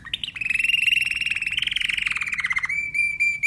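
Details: Timbrado canary singing a long continuous rolled trill that shifts slightly in pitch, finishing with a steady pure whistled tone.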